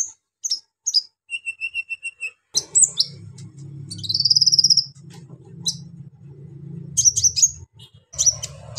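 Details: Rough song of a brown-throated sunbird, meant to stir up other sunbirds: sharp high chips, a steady repeated note series, a long buzzy trill, then scattered falling notes over a low hum.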